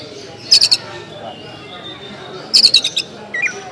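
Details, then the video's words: Kacer, the Oriental magpie-robin, giving basic LDA-style song: two short bursts of rapid harsh stuttered notes about two seconds apart and a brief soft call, over low background chatter. "Suara Dasar KACER LDA (Langit Di Atas Awan)"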